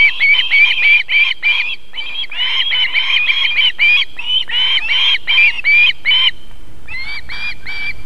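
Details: At an osprey nest in South Estonia's Võrumaa, on a July 2021 evening, the female feeds her chicks while uttering rapid runs of sharp, piercing whistles, roughly three per second, with a brief pause near the end.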